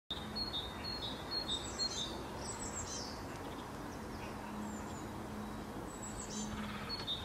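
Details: Common linnet (Linaria cannabina) song: quick, thin twittering chirps in the first two seconds, then scattered higher notes, over a steady background hiss and a faint low hum.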